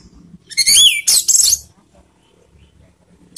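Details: Orange-headed thrush song meant to raise emotion and breeding urge; a loud rising whistled slur followed by dense, harsh, scratchy warbling, then quiet.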